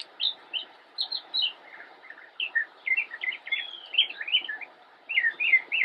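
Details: Northern mockingbird, immature, singing from a bush in North Carolina on 10-10-2016: varied chirps and slurred notes, a lower quieter passage midway, then a long falling whistle among quick notes.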